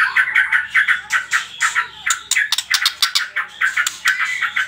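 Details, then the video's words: Rapid trotol song of a white-rumped shama, a lure for setting other birds singing: evenly pulsed short notes, about four a second, mixing mid-pitched chops with crisp high ticks, continuous and energetic. "PANCINGAN TROTOL MURAI BATU"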